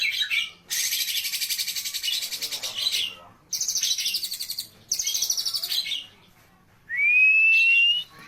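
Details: Varied, rich song of an oriental magpie-robin: bursts of harsh rattling and fast repeated chattering notes separated by short pauses, ending with a pure, gently rising whistle.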